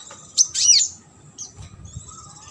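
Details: Sunbird singing on a training recording used to teach competition birds: sharp, very high chirps and downward-sweeping notes in a brief burst, then faint high twitters over a soft low hum.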